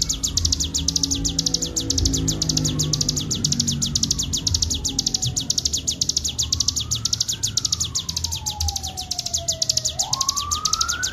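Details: Full ngebren song of a Bar-winged prinia as a training master: a dense, continuous run of high chirps, with softer sliding whistles rising and falling beneath it.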